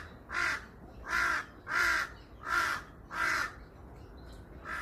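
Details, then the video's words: Crows on a hill in Seongbuk-dong, South Korea, give harsh, hoarse caws, five evenly spaced cries roughly once every 0.7 seconds over a steady background hiss. "성북동산의 까마귀노래소리"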